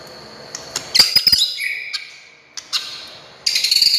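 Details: White-rumped shama song for provoking other shamas to sing: sparse sharp ticks and a high buzzy burst, a short low whistled note, then a loud high rattling phrase at the end.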